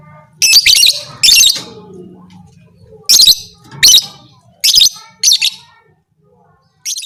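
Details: High, grating lovebird call said to make other lovebirds fight: about seven irregular bursts of quick, scratchy chirps, some doubled, separated by short pauses with a faint low drone at first.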